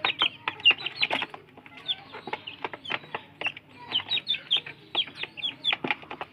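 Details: Free-range village chicks jostling over food: a busy stream of thin, high, downward-slurred peeps from several birds, overlapping irregularly, mixed with dry clicking and tapping, likely pecking at feed.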